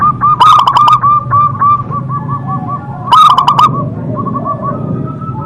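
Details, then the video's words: Local zebra dove, said to sing often with a big voice, gives a loud burst of quick cooing notes, then softer, trailing, bubbly coos that fade and restart, over a steady low rumble of background noise. "perkutut lokal gacor Suara Besar Suara Ampuh bikin Manggung"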